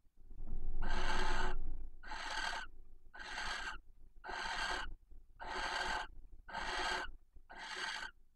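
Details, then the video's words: Female barn owl at a nest box near the Casa Palillos visitors' centre in Cabañeros National Park, calling intensely for the male before mating at night: seven harsh, hissing screeches, about one each second. "Apareamiento EN PRIMER PLANO - Lechuza común"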